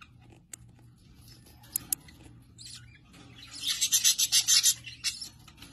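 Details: Australian budgerigars at a breeding setup: quiet scattered clicks and ticks, then a loud burst of rapid pulsed, buzzy chatter repeated about eight times in a second and a half.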